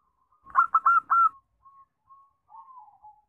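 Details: Zebra dove song used as a lure to prompt birds to sing: four quick loud hooked coos, then soft drawn-out fading notes and a low trailing rolled phrase.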